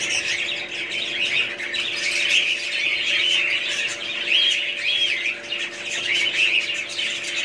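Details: Budgerigars warbling as a group, giving high chirps mixed with short clear whistled notes that stand out every second or so, over a steady faint hum.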